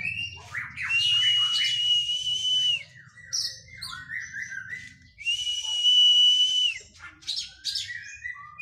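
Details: Caged white-rumped shama in training after moulting, producing long sustained high whistles twice, each held about two seconds, with short varied chirps and slurred notes between them, over a faint low background hum.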